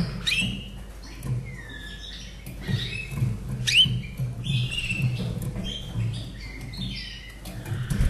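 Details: Slavujar canary kept caged in Austria, a bird from 2011, sings clear whistled sweeps, quick upward flicks and short trills in a lively phrase over low steady hum.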